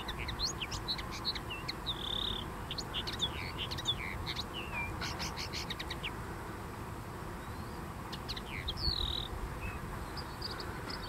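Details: Common linnet singing in dunes: a loose medley of quick twitters, short buzzy notes and brief whistles, partly veiled by steady broadband rushing noise.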